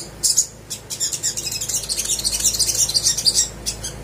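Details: Little spiderhunter song used to get silent birds singing: a few sharp high chirps, then a quick, accelerating run of bright twittered notes.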